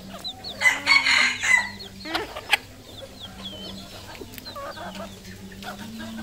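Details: Crowing red junglefowl rooster from Cambodia, kept for sale: a loud, buzzy crow lasting roughly a second early on, followed by quieter clucks, thin high chirps of other birds and constant low hum.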